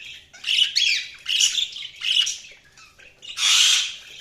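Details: Budgerigars chirping in a run of harsh, buzzy squawks and chattering warbles, bursts of under a second repeated with short pauses, ending in a longer, louder scratchy burst.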